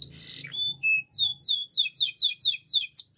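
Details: Waterslager canary training song: a brief harsh buzzy note, then a few pure whistles, then a rapid run of bright descending slurred notes repeated about four times per second.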